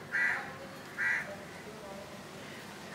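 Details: Budgerigar nest with a chick hatched on 15 July 2018, now on its second day: two short, rasping buzzy calls about a second apart, then a faint third one.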